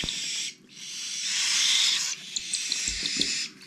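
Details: Cockatiel chicks, the last of the 2021 season, being hand-fed: harsh, hissing rasps held for over a second, broken by short gaps, with faint knocks in the background.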